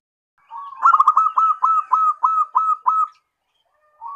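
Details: Zebra dove (perkutut lokal) used as a lure so other doves reply: a clear run of about nine quick, evenly spaced rolling coo notes over two seconds, then silence and a brief soft coo.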